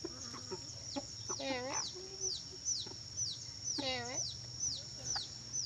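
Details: Tame pet ornate lorikeet from Sulawesi, Indonesia, giving two harsh, nasal calls with stacked harmonics about two seconds apart. A steady high whine runs throughout with faint repeated chirps, over a low hum.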